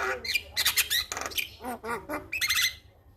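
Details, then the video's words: Male Javan myna singing on a recording used to coax captive mynas into song: a burst of harsh, scratchy squawks and chattering notes with short downslurred phrases, loud and close. "Masteran jalak Kebo jantan Suaranya Bikin Burung jalak Anda Langsung Bunyi"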